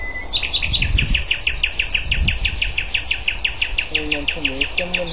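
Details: Common nightingale singing on Öland, Algutsrum, 14 June 2010: a long, loud, even series of rapidly repeated chirps, roughly three per second, continuing throughout, with low murmuring voices beneath.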